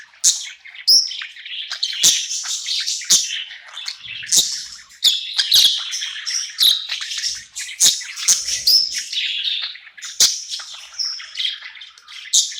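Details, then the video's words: Budgerigar singing at night, happy in a new home: a long, dense chattering warble of scratchy notes, clicks and short whistles running without pause, with sharp chirps scattered throughout. "Cute budgie night happy in new home singing and chirping sounds"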